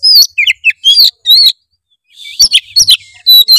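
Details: Oriental magpie-robin in full, loud song, played to prompt a lazy young bird into singing: rapid varied whistled phrases with sweeping high notes and sharp chirps, a brief pause midway, then more bright whistles and trills.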